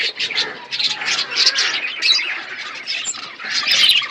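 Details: Colony of budgies chattering at once, a steady mass of scratchy high chirps and short squawks rising and falling in waves, busiest at the start and end.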